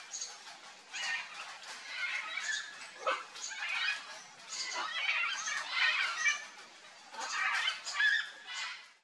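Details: Red-and-green macaws (Ara chloropterus) feeding on ripe mango give harsh, raspy screeches and squawks. The bursts overlap and come in clusters about every second, with quieter gaps around three and seven seconds.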